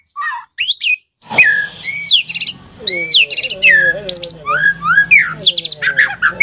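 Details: White-rumped shama in full song, used to excite caged birds into responding: loud, varied, high arched whistles and slurred notes in quick succession with low faint droning beneath.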